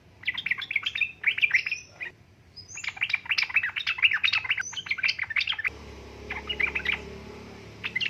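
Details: Female sooty-headed bulbul calling a male, played as a lure for reluctant males: rapid bubbly chirping phrases in dense bursts, a short pause near two seconds, then a quieter patch of chirps over a shifted hum.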